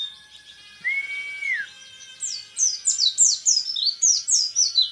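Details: Rapid-fire 'tembakan repet' singing from an orange-headed thrush tipped as a future champion: a sustained whistle dropping at its end, then a run of loud, high, down-slurred notes repeated quickly and evenly.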